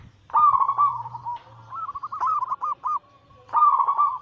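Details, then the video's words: Zebra doves, a Bangkok local crossed with cemani katuranggan silver, giving anggungan song in a group to get other doves singing. Rolling staccato coo runs in three bursts, over a low steady hum. "Masteran Pancingan harian burung perkutut Anggungan paling ampuh langsung emosi gacor"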